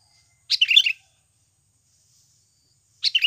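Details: Sooty-headed bulbul in natural voice, recorded as a lure to prompt birds to sing: two brisk warbled phrases of quick, jumbled high notes, about two and a half seconds apart, with quiet between.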